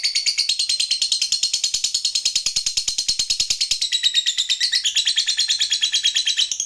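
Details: Fighter lovebird in a long ngekek, calling a rival: a steady stream of shrill, rapid, rattling chatter notes, high and buzzy, with small pitch shifts throughout.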